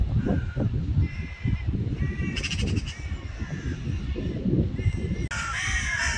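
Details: Magpie calling with rasping, buzzy notes in short separated bursts, set against a loud low-pitched background rumble.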